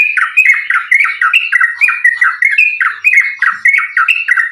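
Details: Continuous tarung sambung ropel fighting song from a vocal Sooty-headed bulbul, used as a lure so bulbuls start singing: an unbroken chain of quick, bubbly two-note phrases, each falling in pitch, about four per second.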